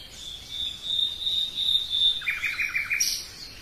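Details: A common nightingale in woodland holds a steady, sustained high whistle, then breaks into a lower, fast rattling trill, ending with a short sharp high note.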